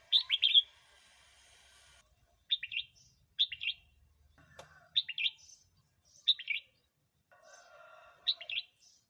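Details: Red-whiskered bulbul song used to provoke wild birds or coach young birds: short bright chirpy phrases of two to four quick notes, repeated about every one to one and a half seconds, with faint higher squeaks and soft background hum.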